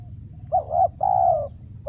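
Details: Trapping decoy spotted dove calling in vain for scarce wild doves. One low coo pair: a short wavering note, then a longer, smooth, sustained coo. A faint note comes before it and another starts at the end.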